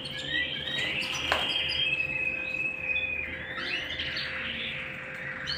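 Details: Indoor canary song with long high whistled tones and rippling trills, a sharp click early on and a faint steady hum behind.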